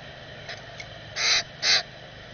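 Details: Common grackle nestling being fed by a parent, captured on a bird camera: two short harsh buzzy squawks about half a second apart near the end, after faint softer notes, over steady background hiss.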